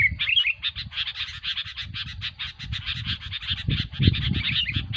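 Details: Noisy Sooty-headed Bulbul lure sound for bird trapping: a few quick whistled notes open a stream of dense, pulsed, scratchy chattering, over low rumbling noise.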